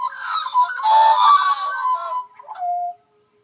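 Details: Three Australian magpies singing in the morning: rich, overlapping warbled and fluted notes in a dense chorus, then a brief pause and a final drawn-out lower whistle before silence.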